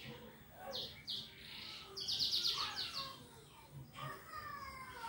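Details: Canary singing in the ngetik style to prompt other birds: two short high notes, then a rapid even trill, followed by quieter sliding whistles and scattered softer notes.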